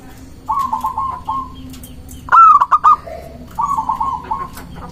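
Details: Local zebra dove singing to lure and challenge rivals. Soft rolling coos of rapid, even notes come before and after one loud phrase: a sharp rising note followed by three clipped, hiccuping notes.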